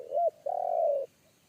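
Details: A single phrase from a wild forest spotted dove with a big bass one-kuk voice, feared by a trainee decoy dove: one short rounded coo, then a long, level, vibrating coo.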